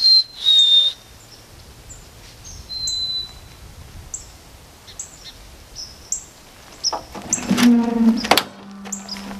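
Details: Wintering White-throated Sparrow back in the area on a cold, wet, windy camping trip with light snow; clear sustained whistles open the clip, followed by scattered short high notes, then loud clattering and a low droning sound.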